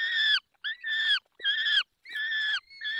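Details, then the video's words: Peregrine falcon during feeding in the Barycz Valley, 20 May 2021, 10:22. Drawn-out, even, nasal wails with rich harmonics come in a row of five with brief gaps between them. "Karmienie 10:22 Dolina Baryczy 20 05 2021 sokół wędrowny"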